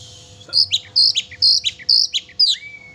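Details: Oriental magpie-robin in lively song, used to provoke a pet magpie-robin into singing. Bright, high two-part whistled phrases repeat roughly every 0.4 seconds, ending in a long steady whistle over a faint low hum.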